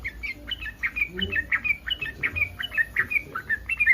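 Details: Yellow-vented bulbul in breeding condition, its call said to provoke other bulbuls into answering: fast bubbly chatter of short warbled notes, about three per second, with faint low rumble beneath.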